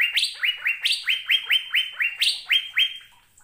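An Asian fairy-bluebird gives a quick series of sharp, liquid, upslurred whistles, about four per second, bright and high, with nothing else heard.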